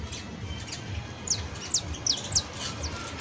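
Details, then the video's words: Saffron finch, known as canario basto, with a few sharp high descending chirps spaced about every quarter second in the second half, over noticeable low background noise. "CANTO PROFESIONAL DE CANARIO BASTO [ASÍ CANTA UN CANARIO BASTO PROFESIONAL"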